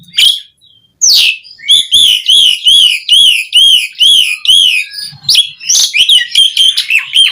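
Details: Asian pied starling song played to prompt other starlings to sing: loud, varied chain of repeated arched whistles, each note rising then falling, about three per second, broken by harsh buzzy bursts and sharp chattering notes.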